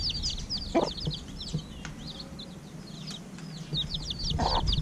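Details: Evening feed for chicks roughly a week old: bursts of high, thin peeping come in clusters with brief lulls, over faint low background noise and a few soft bumps.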